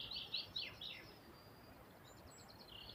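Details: Birds by a river give a few quick, high chirps at the start, then softer thin notes and a faint trill, all over the continuous hiss of running water.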